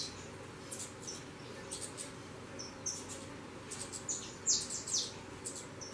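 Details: Young saffron finches leaving their nest and taking flight give short, high, thin chirps at an irregular pace, several brighter sharp notes bunched late in the clip over constant low-pitched background noise.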